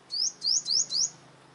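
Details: Olive-backed sunbird challenging rival lead males at a trap: four loud, clear, high upslurred whistles in quick succession, each rising steeply and lasting about a fifth of a second, then silence.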